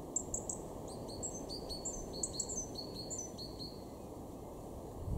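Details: Two-note high, clear phrases repeated about twice a second in a run of roughly ten, from a great tit in a garden at Weener, East Frisia, northwestern Germany, March 2023, over low background rumble that swells at the end.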